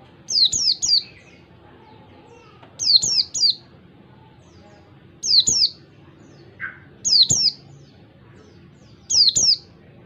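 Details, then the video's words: Oriental white-eye delivering clear ngalas wild-type song as a tutor for young birds. Groups of two or three thin, high downslurred whistles repeat about every two seconds, with one softer, lower note in between. "pleci ngalas 1 2 3 suara jernih cocok buat masteran pleci belajar ngalas"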